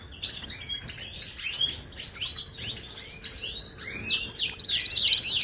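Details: European goldfinch, Moroccan wild type, giving continuous Widani-style song used to train caged birds: a tumbling stream of high liquid twitters and slurred notes that builds up to a fast, buzzy trill at the end.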